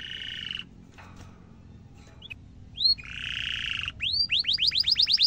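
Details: Canary song used to tutor young and adult canaries: a buzzy rolling rattle, quiet clicks, a second harsh roll, then a quick series of rising whistled notes.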